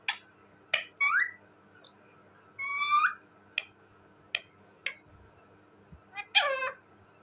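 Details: Talking parrot uttering a string of short, speech-like syllables and clipped notes with rising and falling inflections, ending in a longer harsh, slurred call, indoors with a faint hum.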